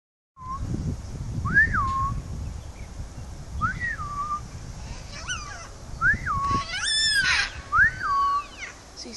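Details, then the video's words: A cockatoo in NSW, Australia, on 30 September 2012 gives clear whistled, rising-then-falling wails about every two seconds, with a few harsher squawks and a low rumble. Such calls are said locally to mean rain is near. "rain cockatoos"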